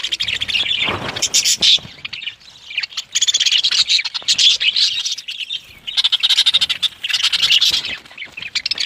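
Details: Budgerigar breeding colony in Pakistan: a dense, continuous chatter of many high chirps and warbles from the flock, with a short broadband clatter near the start.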